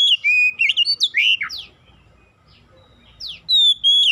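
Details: Oriental magpie-robin singing, used as a lure to make untrained magpie-robins sing: fast varied whistles and sharp downward chirps, a brief lull, then a long clear whistle resuming the song.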